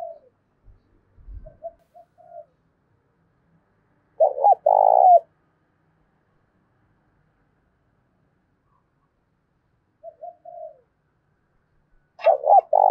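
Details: Decoy spotted dove singing in thổ đồng style to challenge another male: soft low coos alternate with loud rolling coo phrases, repeated about every eight seconds, with a faint low thump early on.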